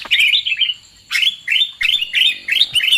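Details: Sooty-headed bulbul lure call used for trapping birds: bursts of bright, bubbly chirps that rise and fall, given in short phrases separated by brief pauses.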